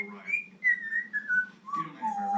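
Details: A 20-year-old Congo African grey parrot whistles one of his self-invented tunes, wavering tones sliding from high to mid pitch over about two seconds, in a small indoor room.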